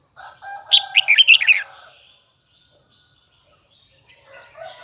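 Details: Red-whiskered bulbul from Huế singing one bright, quick phrase of slurred high whistles over lower steady tones and chatter, then a quiet pause and faint calls.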